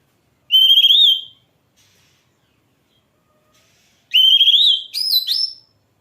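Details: Kacer, the oriental magpie-robin, kept as a singing bird: a pure whistled note, a long silence, then a wavering whistle followed by quick rising and falling notes.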